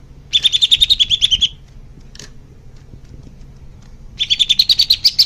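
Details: Leafbird singing for young-bird therapy: two bursts of fast, high twittering notes, about a second each, separated by near silence.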